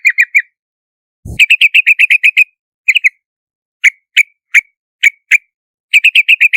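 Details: Yellow-vented bulbul of Southeast Asia delivering fast bubbly chattering runs of bright notes alternating with isolated sharp chirps, plus one brief low thump near the start.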